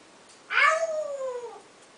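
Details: Caged male African grey parrot giving his new favourite "owww": one loud, drawn-out, downward-sliding whistled wail lasting about one second.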